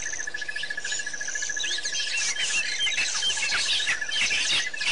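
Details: White-fronted bee-eaters at Pete's Pond, Botswana, recorded 10/9/07: many short squeaky, chirping notes overlapping in a busy flock chatter, over a steady pulsing insect trill and a thin high whine.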